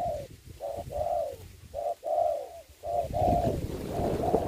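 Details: Spotted dove serving as a trapping decoy on the ground in Vietnam: rhythmic low coos in pairs, a short note then a longer falling one, repeated about three times.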